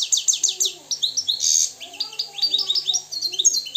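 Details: Moroccan European goldfinch, described as free and purebred, singing a rapid run of bright, tinkling high notes and twittery trills, with short buzzy bursts mixed in and little pause between phrases.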